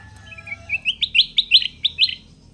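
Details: Sooty-headed bulbul, a trapped wild bird kept in a cage and now singing loudly: soft low notes lead into a string of sharp rising chirps, about ten within two seconds.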